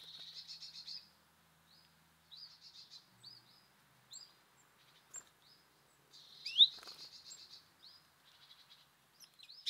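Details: Birds visiting a feeder at snack time: bursts of high, rapid chirping trills separated by brief pauses, with scattered single tweets and one sharp, louder sweeping note midway, against a quiet background.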